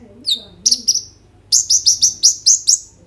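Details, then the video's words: Kolibri ninja sunbird singing as a lure for other sunbirds: one drawn-out downslurred whistle, two sharp chirps, then a rhythmic run of about eight high notes evenly spaced, with a low murmur in the background. "KOLIBRI NINJA GACOR FULL ISIAN ROLL TEMBAK, COCOK UNTUK PANCINGAN KONIN BAHAN BIAR BUNYI"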